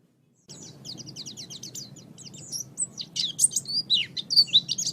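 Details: Oriental white-eye, a master recording for training other birds: after a brief silence, rapid high twittering of thin, sweeping chirps that grows louder and denser toward the end, over a steady low hum.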